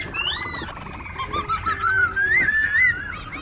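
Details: Caged Black-throated laughingthrush, caught wild as an adult, singing and dancing in Ho Chi Minh City's Bình Chánh district. Rich slurred whistles climbing and dipping in a varied phrase, over a faint continuous low tone.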